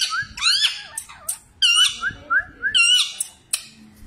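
A parrot talks in a shrill, nasal voice, a few quick speech-like phrases with gliding whistled tones and harsh squawky bursts.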